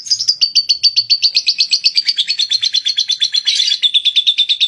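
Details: Caged lovebird delivering the long ngekek trill: a rapid, steady chain of sharp, high chattering notes, roughly eight per second, slightly falling in pitch, with a brief denser flurry near the end, clean background.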